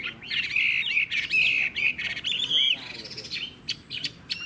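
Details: Captive Chinese hwamei giving rich sustained whistles and twisting slurred phrases, with a brief pause and then short sharp high chips.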